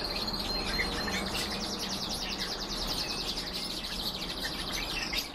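A canary-goldfinch hybrid sings a continuous, high, rapid twittering warble of quick repeated trills over a steady background hiss.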